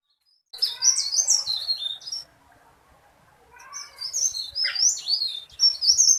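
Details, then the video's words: Tailorbird, a small bird singing loudly and persistently with a long, rolling song: fast high twittering phrases tumbling up and down, a pause of about a second and a half, then another rapid run of bright notes. "BURUNG TERALIS GACOR"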